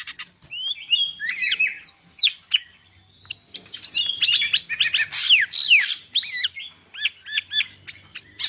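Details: Cucak ijo (greater green leafbird) from Medan pouring out a fast, varied song of looping whistles, ringing upslurs and harsh buzzy bursts, nearly continuous, with faint low background hum.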